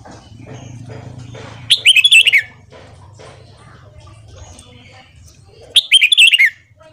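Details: Red-whiskered bulbul singing a morning song used for training; two loud bright phrases of quick warbled, slurred whistled notes, each about three-quarters of a second, separated by several seconds of quiet background hum.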